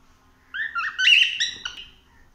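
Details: Cockatiel exploring a house, a single short phrase of rising and falling warbled chirps and whistles, loudest in the middle.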